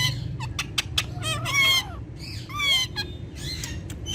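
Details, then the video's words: Indian ringneck talking parakeets, Urdu and Hindi speakers, give clicks and then two longer wavering, voice-like phrases with falling glides. Quiet music plays in the background. "Gorgeous Ringneck Talking Parrots With Their Melodious Voice In Urdu Hindi"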